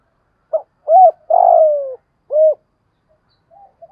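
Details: Spotted dove in Thổ Đồng voice, coos for luring and training wild doves: a brief soft note, a rounded hoot, then a long buzzy coo sliding downward and one more hollow hoot, closing with faint murmurs.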